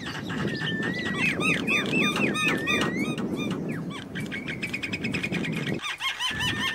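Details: Several wild Javan mynas chattering in a dense mix of short downslurred whistles and rapid clicks, roughly two notes a second, with steady low rumble and a brief quieter gap near the end.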